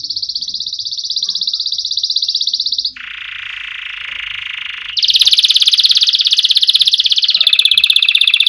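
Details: Canary singing for training chicks: continuous rapid trills, first high and steady, then a lower broad buzzy roll, then a loud high trill with a faint upper overtone, repeated without pause.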